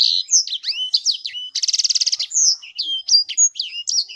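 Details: A sanger songbird sings a lively phrase of sharp, high whistles and slurred notes, broken midway by a fast buzzy trill of about a dozen pulses, then more varied whistling.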